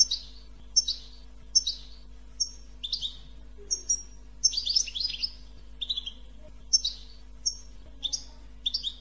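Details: Canary song used to stimulate other birds to sing: a clean run of high, sharp chirps and short trills, with some notes sweeping downward and a busier warbled burst near the middle, against a faint steady hum.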